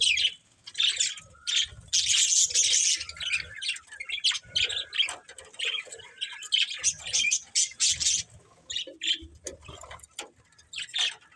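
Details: Budgies chattering together, high scratchy warbles and quick chirps in long overlapping runs, a few squeaks standing out, soft low knocks and rustles beneath.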